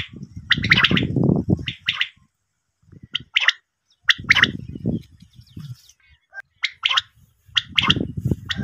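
Common quail giving short, sharp high chirps in small clusters every second or two, mixed with low gurgling, rumbling bursts.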